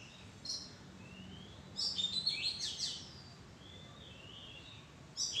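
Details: An Oriental magpie-robin in a madan tree bower gives bright, varied whistled notes, some rising and some sliding, in short irregular bursts over steady background hiss.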